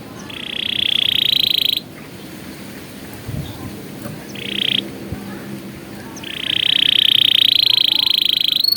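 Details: Canary song used as a training recording for young canaries: two sustained bright high trills, a short burst between them, and a quiet gap with faint low background noise.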